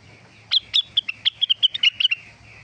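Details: Cucak rengganis singing; a rapid series of about a dozen sharp, bright chipping notes, roughly five per second, over a steady high tone and a low background hum.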